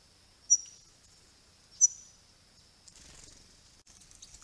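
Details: Swift parrots, a rare visitor, at a pond on a property with flowering grey box trees, March 2022, camera recording: two sharp high piercing notes about 1.3 seconds apart, then rustling, over a steady high-pitched whine.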